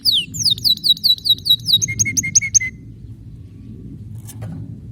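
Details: Canary singing a tuneful song with special notes: a fast series of repeated high whistled syllables, then a slower run of short lower notes, ending in quiet with a low hum underneath.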